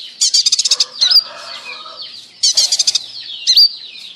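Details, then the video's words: Red-breasted sunbird singing bursts of very fast, high chirping trills separated by thin, squeaky upslurred notes, repeated about every two seconds. "KOLIBRI GACOR PAUD | DADA MERAH"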